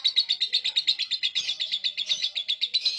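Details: Lovebird chattering (ngekek) while falling asleep, played as a lure for lovebirds that rarely sing: a long, steady, rapid trill of buzzy high notes pulsed about three times a second, clean background.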